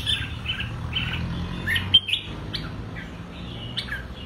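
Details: A red-whiskered bulbul, used as a tutor to train bulbuls to sing double notes, sings short, bubbly whistled phrases that slur up and down, with a sharp high note midway, over a steady low hum.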